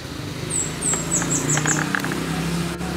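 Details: Wild fire-breasted flowerpecker singing a short run of about six thin, very high notes that step slightly downward, over a steady low hum of background noise.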